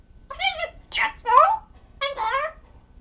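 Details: Talking pet parrot indoors utters four tonal, harmonic word-like syllables, some sliding downward, spaced about half a second apart in a quiet room.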